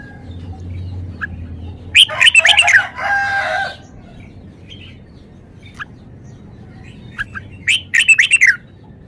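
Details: Red-whiskered bulbul kept in a cage, showing off its song. Two separate bursts of rapid, chattering whistled notes, the first followed by a rough, buzzy trailing sound, with quiet gaps between.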